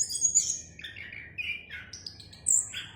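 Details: Orange-headed thrush with a clear voice, giving a descending series of whistled notes that drop stepwise from high to mid pitch, then a sharp high note near the end.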